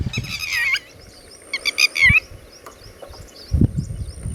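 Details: Red-wattled lapwing (tateri) with chicks nearby gives two short bursts of shrill, nasal, stacked notes that bend downward, separated by a gap. Scattered low thumps and a faint steady high whine sit in the background.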